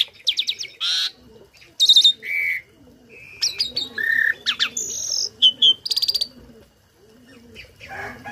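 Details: Tame starling tutor singing a mixed medley of harmonic chirps, short buzzy notes and pure whistles of differing pitch, with soft cooing-like murmurs underneath.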